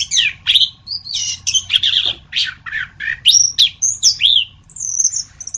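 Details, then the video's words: Orange-headed thrush in varied song: rapid strings of scratchy, warbling notes and sharp upslurred whistles, each phrase about half a second long and following closely on the last, ending in high thin whistles. "Masteran Anis Kembang"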